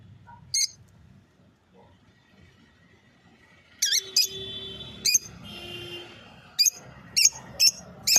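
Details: Lovebird giving short, sharp, high chirps, one single note early, then a cluster of bright repeated chirps in quick bursts over a faint low hum.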